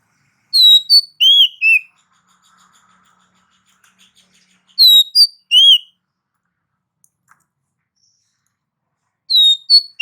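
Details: Song of an oriental magpie-robin, used to provoke other males to rage: short bursts of three or four ringing, slurred whistles, repeated every four seconds or so, separated by near silence.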